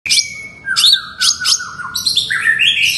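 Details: Long-tailed shrike singing energetically: a varied phrase of long level whistles near the start, then sharp harsh notes, slurred falling whistles and a rising strained whistle at the end, with no other sounds.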